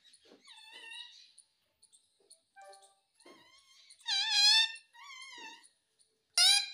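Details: Talking ringneck parrot with several nasal, wavering harmonic syllables, soft clicks and short tonal notes between, ending in a loud abrupt squawk-like syllable.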